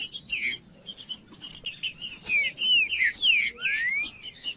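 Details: A green-winged saltator singing, meant to warm up a cold bird. Soft chirps build into loud falling whistled notes, and the phrase finishes with a long upward-sweeping whistle. A steady thin high tone persists throughout.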